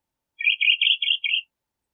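A Crissal Thrasher gives one brief song phrase of about five quick, warbled notes, high and slightly buzzy, lasting a second against a quiet background.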